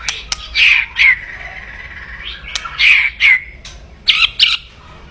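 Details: Loud, aggressive kretekan song of a white-rumped shama intended to agitate rivals: rasping crackly bursts come roughly every second, with thin clicks between and a clipped double crackle near the end.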